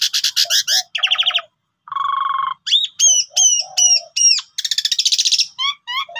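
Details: Pied myna singing as a lure for silent birds: rapid clicking series, low droning note, looping whistled phrases repeated four times, a fast rattle and short rising chirps.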